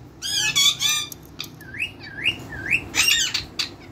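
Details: Talking parrots in a cage mimicking human-like sounds: harsh, harmonic chattering squawks, then three rising whistled swoops in steady succession, ending with more raspy chatter over a quiet room hum.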